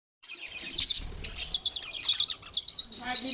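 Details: A budgerigar in a big cage chatters in quick, scratchy high chirps and warbles, with a faint voice in the background.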